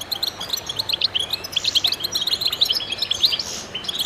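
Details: Massed goldfinch song, a steady stream of sharp high chirps and tinkling twitters from several birds, with a brief buzzy rasp toward the end.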